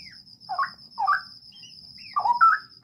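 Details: Straw-headed bulbul in a breeding aviary, giving rich, mellow, gurgling warbled phrases in short bursts, with a steady high insect-like whine running throughout.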